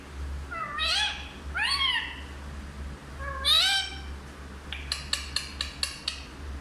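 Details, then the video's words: Hindi-speaking parrot gives three rising, rich harmonic calls, then a rapid series of about six sharp clicks or tongue pops, with a low steady hum underneath. "सबसे अच्छा हिंदी बोलने वाला तोता ll Parrot Talking"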